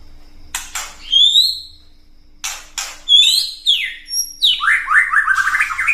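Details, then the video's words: White-rumped shama giving its ketrekan, a provoking call meant to stir other birds into song: sharp clicks followed by clear sliding whistles, then a fast run of rising and falling chattered notes at the end. "KETREKAN MURAI BATU BIKIN EMOSI"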